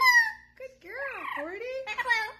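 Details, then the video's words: Pet blue-fronted amazon parrot talking indoors with its trainer: a drawn-out tonal word, then wavering, bending voice-like phrases imitating speech, with a woman's voice close by. "Polly the Parrot Talking"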